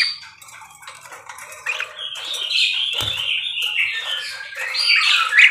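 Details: Parakeet warbling continuously, a rising stream of high, scratchy, slurred chatter that grows louder toward the end, with one soft thump midway.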